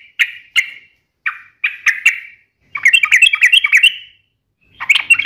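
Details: Sooty-headed bulbul singing energetically: short separate chirps followed by a rapid, rattling run of bubbly notes, then another brief burst, in a quiet background.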